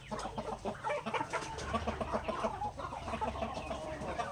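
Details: Native chickens in a backyard during their daily grain feeding, giving rapid, closely repeated short clucks from several birds at once over a low background hum.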